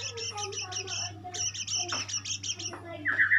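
A white-rumped shama sings quick, repeated bright chattering notes, then a brief warbled burst and a clear high whistle, over a steady low hum.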